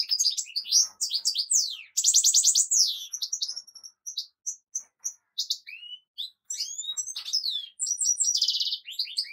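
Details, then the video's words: Goldfinch song in rapid tumbling phrases: rattling buzzy trills, sharp twitters and clear whistled slurs, delivered in bursts separated by brief silences. "طائر الحسون سيد التغريد"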